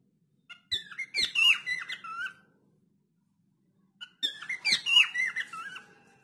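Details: Cockatiel singing indoors in a small room: two bursts of sweet, warbling whistled notes with quick rising and falling slurs and squeaky accents, separated by about two seconds of silence.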